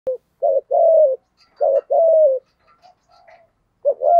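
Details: Spotted dove cooing in the deep 'giọng thổ' style: a few low, hollow coos, one held and gently falling, then a pause with faint scattered chirps before another coo starts.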